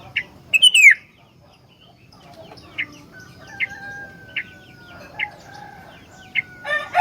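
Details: Sooty-headed bulbul in full isian-filled song, used to lure and tutor other bulbuls: a loud falling slurred note opens, followed by brief bright chirps spaced roughly a second apart over a thin sustained whistle.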